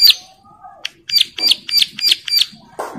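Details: Bar-winged prinia in breeding condition, calling other females that reply: a sharp opening note, a short pause, then five quick raspy high notes in a steady run, ending with a softer, lower rasp.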